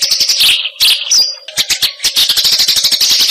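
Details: Eurasian tree sparrow in fighting mode delivering a fast, tight single-note song, with bursts of shrill chirps broken by short pauses, one brief pure whistle, and a faint steady hum underneath.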